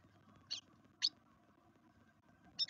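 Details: Black redstarts at a nest in a garden in Veszprém, Hungary: three brief, thin, high-pitched squeaky calls, spaced irregularly about half a second to a second and a half apart, over a faint steady low hum.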